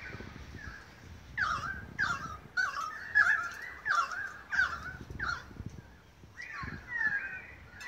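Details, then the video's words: Australian magpies singing together in Beverly Hills, Sydney, Australia, August 2015: a run of about eight loud, rough, descending notes at a brisk pace, followed by softer warbled phrases. "Magpie concert"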